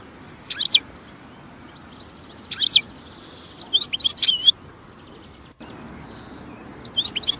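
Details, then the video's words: European goldfinch in nature with scattered bright twittering phrases, a cluster of rapid tinkling notes in the middle and a soft background hiss. "جمال الحسون في الطبيعة"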